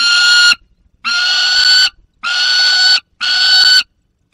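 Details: Juvenile peregrine falcon with prey, recorded in the Barycz Valley on 30 August 2022: four loud, hoarse whining calls, the longer ones nearly a second, repeated at a steady pace with brief gaps.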